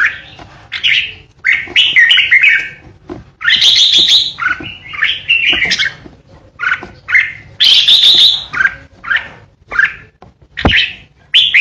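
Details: Captive red-whiskered bulbul decoy in full 'ché' song, the aggressive style used to threaten rival birds. It gives a long series of loud, varied whistled and chattering phrases, each about a second long, punctuated by sharp cage clicks.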